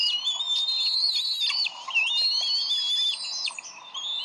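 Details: High whistled chatter of Bald eagles at the Decorah nest, 30 May 2012, as the adults squabble over a fish. Long slurred piping notes run almost without pause, with a brief dip midway.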